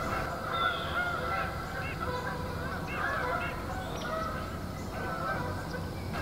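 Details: Migrating geese honk in the distance on an October 5 morning near Freeport, northern Illinois farm country, in a steady chorus of short nasal honks about every second over a constant background rumble.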